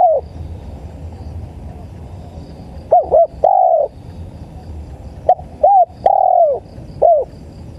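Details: Spotted dove, called tekukur, in a recording used to lure birds: after a quiet stretch, two phrases of quick short hoots each ending in one long drawn coo, a few seconds apart, over a low humming background.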